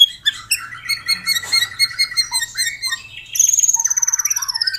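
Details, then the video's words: Captive White-rumped shama in a lure song for stalled cage birds: soft scratchy warbling and a low whistle, ending in a loud high drawn-out trill of rapid repeated notes. "SIULAN MURAI BATU GACOR/ Suara Pancingan Burung Murai Batu Agar Bunyi RESPON CEPAT Atasi Murai MACET"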